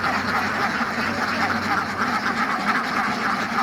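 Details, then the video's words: A flock of farm ducks quacking all together, rough nasal calls overlapping into an unbroken, busy wall of sound with slight swells and dips in volume. "Relaxing Duck Sounds: Quacking, Splashing & Nature Ambience"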